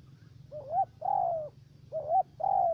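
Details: Spotted dove used as a trapping decoy in U Minh, Ca Mau, Vietnam. Two clear coo phrases, each pairing a quick wavy note with a sustained, slightly falling one, over faint low background noise.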